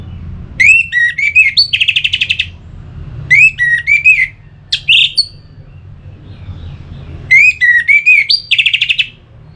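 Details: Orange-headed thrush song played to encourage singing, three bold whistled phrases of sliding notes ending in rapid buzzy trills, repeated roughly every three seconds over a faint low background rumble.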